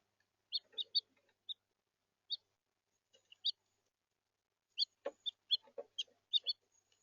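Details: Red house finch recorded in central Florida giving sharp, high, two-toned chirps, a few early notes, a pause, then a rapid run of clipped chirps in the final seconds.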